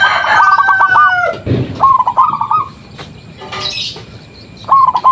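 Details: Zebra dove of a local strain, calling as a lure so that other doves reply. Short, quick, stuttering coo phrases recur, separated by broad scraping noises and a faint high hiss.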